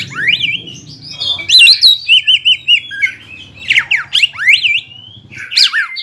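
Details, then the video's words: Greater green leafbird singing to provoke a rival: loud swooping whistles and sharp downward slurs mixed with mimicked squawky notes, over a faint low background rumble. "PANCINGAN CUCAK IJO GACOR BIKIN HYPER CUCAK IJO LAWAN LANGSUNG JAMTROK DAN PANAS"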